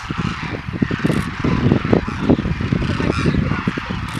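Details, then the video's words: Wintering Demoiselle Cranes at a village bird-feeding site in Khichan, Jodhpur district, Rajasthan, India, where thousands gather; dense low honking and calling from many birds overlapping continuously, with broad background noise. "Demoiselle Cranes in Khichan Rajasthan India"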